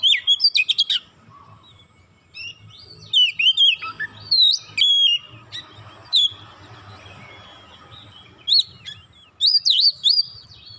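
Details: White-rumped shama song used to provoke other shamas into singing: loud whistled phrases around the upper-middle range, bursts at the start, middle and end with quieter gaps and faint low background hum.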